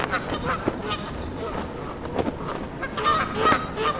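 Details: Flock of geese honking in cold wind with a flag flapping: overlapping nasal honks come several times a second over a steady roar of gusty wind.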